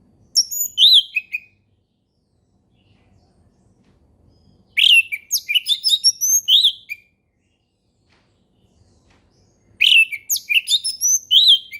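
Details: Orange-headed thrush in relaxed ngeplong song, a tutor recording for young birds to copy: three bursts of rapid high whistled and twittering phrases, each about one to two seconds long, separated by silences of roughly three seconds.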